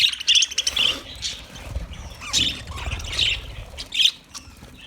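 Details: Budgerigar warbling: bright whistled chirps repeating about twice a second, interspersed with rasping chatter and short rising notes.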